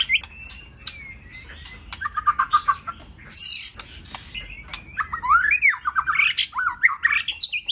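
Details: White-rumped shama, many-voiced song meant to stimulate shamas: long varied phrases of whistles, trills and fast rising and falling slurs, growing denser and louder toward the end.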